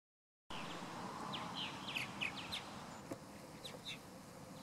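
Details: Purple martin nestlings and parents, recorded 11 July 2020 at the Murrysville Community Park wetlands, give quick, chirpy notes in loose bursts of two or three, about four per second, over a steady background hiss.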